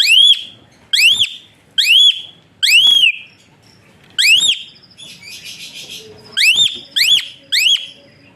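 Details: Asian pied starling producing whistles meant to train other birds, a rhythmic run of loud upswept arched notes about every second, a brief pause with soft buzzy chatter, then three more whistles.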